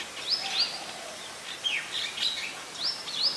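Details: Resident streak-eared bulbul in Ubon Ratchathani, Thailand, late February 2020, giving sharp chirps in short bursts, each burst of two or three slurred notes, separated by brief pauses; soft background hiss.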